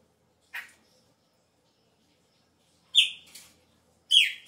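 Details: At the start of the breeding season, a chopi blackbird sings its changing song. A short buzzy note is followed by two loud, falling whistles, with faint clicks and background noise between them.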